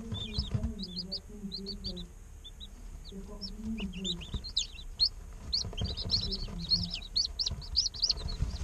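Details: Day-old chicks peep continuously, with sharp high chirps growing busier toward the end. A low, wavering murmur runs beneath them in the first half.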